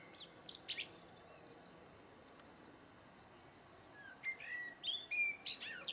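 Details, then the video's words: Blackbird song: a high twittering flourish, then after a quiet gap several low fluted whistles and bright squeaky notes near the end. "chant du merle"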